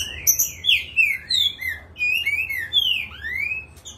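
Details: Agitated green-winged saltator in full song: loud slurred whistles sweeping down and up through mid-high pitch, phrases rising then falling in quick succession, with faint short high chirps overhead and a low steady hum beneath.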